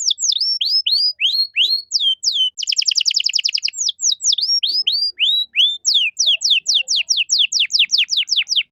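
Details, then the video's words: Caged canary in lively gacor form singing a cengkok mewah (luxurious phrasing) master song meant to tutor young songbirds: a run of sharp downslurred whistles, a fast rattling trill, then rapid repeated descending notes, all clean and loud. "MASTERAN KENARI GACOR || Cengkok Mewah Mudah Masuk untuk Burung Bahan"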